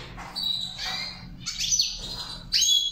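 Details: Saira char chari training song of a goldfinch: a few quick high warbled notes, then a sharp rising whistle near the end, over a quiet low background hum.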